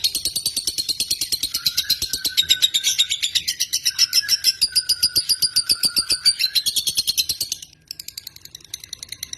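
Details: Indonesian lovebird pouring out a rapid, shrill twittering trill mixed with a few lower whistled notes, breaking off abruptly near the end before resuming softly.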